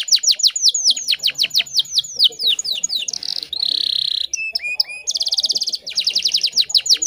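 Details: Female canary singing to lure a male: fast descending chirps repeated in series, buzzy sustained trills and rapid rattling phrases, with faint low background noise.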